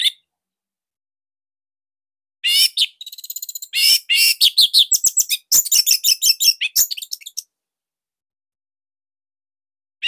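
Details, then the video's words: Orange-headed thrush master song for training other thrushes, described as unique, tight and loud: after silence, about five seconds of rapid chattering high notes and twitters in quick bursts, then silence again. "Kicauan Joss ANIS MERAH Pancingan Masternya Para JUARA"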